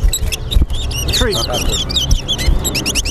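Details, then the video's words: Caged towa towa (seed finch) singing in a bird race at Bath Settlement, Berbice, Guyana: rapid high whistled slurs and rising notes in quick succession, over steady crowd chatter and low background rumble. "TOWA TOWA BIRD RACE"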